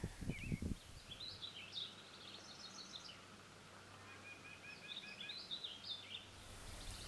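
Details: A house wren (Troglodytes aedon) in aspen habitat at Lakeview Spring in the Bodie Hills, California, sings two bubbly, tumbling bursts of high chatter a few seconds apart, over a low rumble and a few soft knocks at the start.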